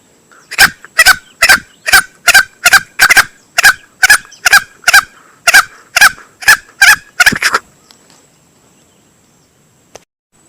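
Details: Hunting lure recording of a male green junglefowl: a long, steady run of short, raspy, clucking notes roughly twice a second for about seven seconds, then quiet with one faint click.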